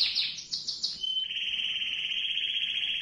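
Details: Canary singing a long rolling trill used to teach young canaries to sing: a few quick high chirped notes, then a steady, very fast buzzy trill held for about two seconds, with faint background hiss.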